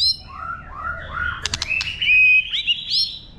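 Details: White-rumped shama giving a wild-type song to stimulate birds; falling and rising whistled slurs lead into a loud, long steady whistle, with a quick clicking burst in between.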